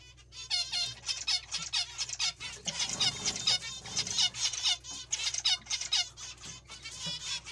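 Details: Zebra finches calling steadily, a run of loud nasal, trumpet-like beeps rich in harmonics, roughly two per second, overlapping from several birds above a faint hum.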